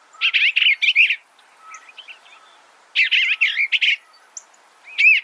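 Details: Eastern bluebird giving two short bursts of soft warbled notes, each under a second long, wavering between mid and high pitch, with a quiet gap between them and a third phrase starting at the end.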